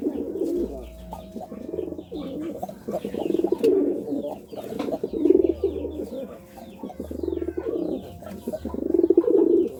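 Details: Pigeon cooing in courtship, a series of low, throaty, rolling coo phrases rising and falling in bouts every few seconds, with faint background chatter and small knocks.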